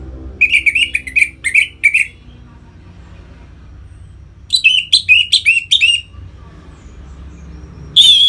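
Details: Captive orange-headed thrush song meant to arouse other birds: rhythmic series of short warbled notes repeated quickly, a pause, another rapid series, then a final loud note.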